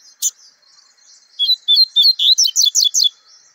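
A bird sings a high, quick phrase of slurred whistled notes, used as a model for young birds.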